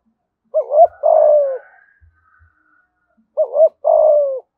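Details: Spotted dove, 'thúc gù giọng thổ' cooing, Đồng Nai: two low two-part phrases, a wavering lead note and a long drooping hoot, separated by a pause of nearly two seconds.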